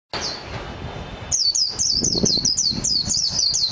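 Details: Japanese white-eye, known as mejiro, singing: after a second of quiet low rumble, a rapid, high twittering run of thin, sweeping notes begins and continues without pause to the end.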